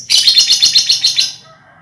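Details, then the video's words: Lovebird colony sound intended as a lure for ngekek trilling: a fast, loud burst of about eight shrill, buzzy pulses over barely a second, then quiet. "Suara Lovebird untulan koloni cocok buat pancingan ngekek"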